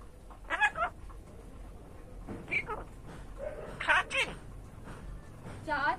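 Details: Pet common myna, rescued from beneath a light post after its nest was torn apart on a stormy night, known to say over 100 phrases including swear words; several short, high, harmonic speech-like bursts with warbling modulation, separated by pauses, over faint room noise.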